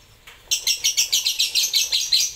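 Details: Lovebird singing a rapid series of about a dozen shrill, high, pulsing chirps in quick steady rhythm, loud and close.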